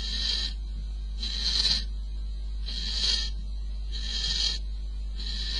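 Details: Barn owl at a nest box at 04:45 on 22 May, as the male brings prey to the female, giving harsh, breathy hisses about half a second long, roughly every one and a half seconds, over low rumble.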